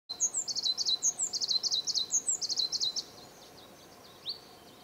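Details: African blue tit (Cyanistes teneriffae) in Tamadaba Natural Park, Gran Canaria, in March 2010, giving a quick run of high, thin chattering notes for about three seconds, then a single rising note, over a faint steady hum.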